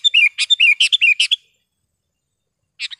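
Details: Kutilang or sooty-headed bulbul, a lively singer used to tutor caged birds and call in wild ones in gardens; a burst of clear chirping, warbled phrases lasting over a second, then silence before a brief new phrase begins.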